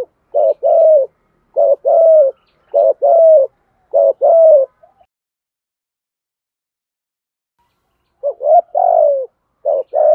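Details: Decoy spotted dove giving repeated thúc gù cooing meant to stir wild doves: a run of four short low coo phrases, each a clipped note and a longer hum, then several seconds of silence before two more phrases.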